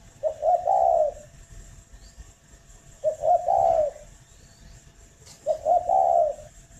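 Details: Spotted dove from a breeding farm in Ba Vì, Hanoi, Vietnam, heard at morning giving three low coo phrases about two and a half seconds apart, each a quick note or two and a longer mellow coo.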